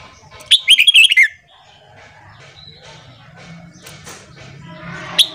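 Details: Morning singing of a red-whiskered bulbul for voice training of newly caught birds: one short burst of rapid chattering, sliding notes near the start, then faint background rustle and a brief sharp click at the end.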